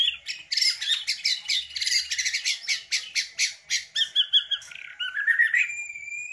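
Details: White-rumped shama with luxurious fill-in shots: a rapid, loud stuttering chatter of harsh notes in quick pulses, then clear whistled notes and long rising whistles at the end.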